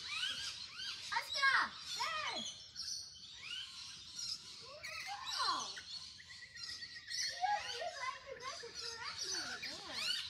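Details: A group of fluffy rainbow lorikeets calling: rasping screeches and sharp downslurred squawks over steady high chattering, with a few clearer falling notes near the end.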